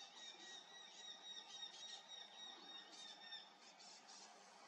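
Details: On a foggy morning on 7 August 2024, a Eurasian hobby gives a fast run of thin, high, squealing notes, several each second, fairly faint against a soft background hiss.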